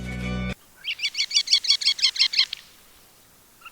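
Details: Sanderling, a highly gregarious wader that chases waves on sandy beaches, in Sri Lanka, gives a rapid series of about ten short, sharp, high twittering notes in two seconds, after a brief burst of music.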